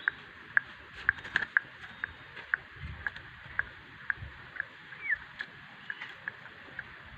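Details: Common iora, a lure bird: clear whistled notes near the same pitch, sharp and repeated several times a second with small gaps, over a low rumbling background.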